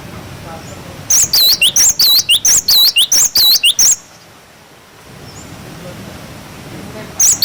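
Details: Clear wucit wucit song of a cinereous tit, kept as a tutor for young birds: nearly three seconds of fast, piercing whistled phrases, each a downward swoop joined to an upturn, then quiet, with one more phrase starting at the end.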